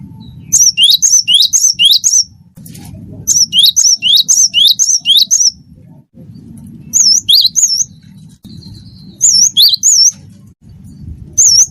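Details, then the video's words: Cinereous tit of the wingko type, singing loudly as a tutor recording meant to prompt other birds into song: high whistled two-note phrases in rapid bursts of several repeats, separated by short pauses, over a low background hum. "gelatik batu wingko gacor masteran burung gacor"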